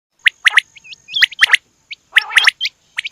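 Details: Female quail calling: rapid clusters of sharp, high chirps with short hooked upslurred whistles between them and a brief harsher, rattling burst, several calls overlapping as if more than one bird is present.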